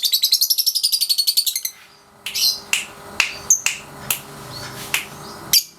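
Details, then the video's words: Caged lovebird aged 3.5 months in daily ngekek practice: a fast shrill trill of rapid repeated pulses for over a second and a half, then separate sharp chirps spaced irregularly. "Love Bird Pasjo si Vicy Latian Ngekek Harian usia 3,5 bulan"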